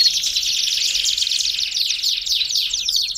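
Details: Belgian canary singing to warm up canaries, a continuous, blurred, fast-rolling trill of high notes with no pauses, slightly fluctuating in loudness.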